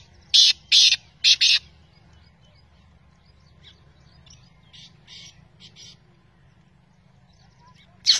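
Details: Black francolin calling in Pakistan: a few harsh, grating notes in quick bursts, two longer and two clipped, then faint answering notes and another rasping note at the end, over a low steady rumble.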